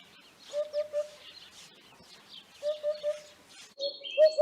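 Eurasian hoopoe giving soft, low hollow hoots in triplets, 'oop-oop-oop', repeated twice, with faint high chirps and whistles of other birds behind.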